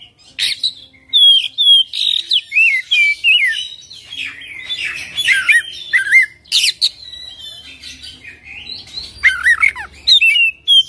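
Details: Oriental magpie-robin with a varied song of high whistles, twisting slurred notes and scratchy chatter in quick bursts, repeated phrase after phrase with brief silences.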